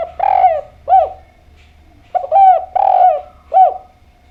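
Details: Close, loud spotted dove cooing. The bird is known locally as derkuku or tekukur, a keen singer whose song is used as a lure for other doves. Two phrases each end in a rolling coo and a short downturned note, about two seconds apart.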